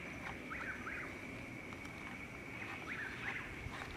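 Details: Chuck-will's-widow in Florida during its brief spring calling season, singing in darkness to find a mate: two quick whistled phrases, each with slurred rising-and-falling notes, set against a constant buzzing trill of tree frogs.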